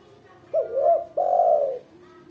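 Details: Female spotted dove cooing for use as a lure: a short note running into a wavering coo, then one long steady coo lasting about half a second, low-pitched and soft, with light background hiss.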